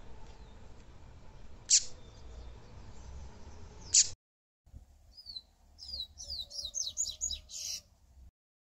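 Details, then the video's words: Double-collared seedeater: two sharp, very high chips a couple of seconds apart, then a quick run of twittering, slurred high notes over a faint low hum. "PAPA CAPIM / COLEIRO"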